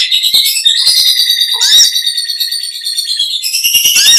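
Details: Olive-backed sunbird, called kolibri ninja locally, pouring out long continuous chatter: dense, very high shimmering twitter with quick ticks and a few upward-swept whistles, steady in loudness throughout.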